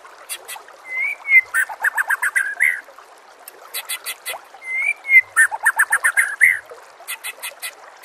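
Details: White-rumped shama song used to train other birds, over nature sounds and trickling water: two phrases each opening with a smooth whistle, then quick stuttering notes in rapid runs with high clicks.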